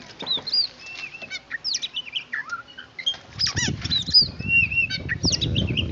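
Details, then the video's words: White-rumped shama in training, delivering a varied rapid song of whistled slurs, rising and falling notes and quick trills, with a low rumbling background noise in the second half. "Burung Kacer lagi latihan"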